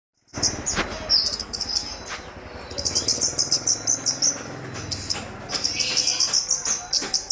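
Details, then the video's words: A kemade (red-capped songbird) calls loudly, pouring out high, sharp chirps and rapid twittering trills in bursts over a low background rumble. "burung kemade si baret merah berkoar2 gacor"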